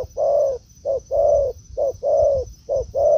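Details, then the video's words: Spotted dove, a decoy taken into the forest where it meets a wild bird. Close, loud paired coos, a brief note then a long rounded one, repeat rhythmically over three seconds. "Mồi Thổ ô ra rừng đụng bổi đồng cườm đẹp"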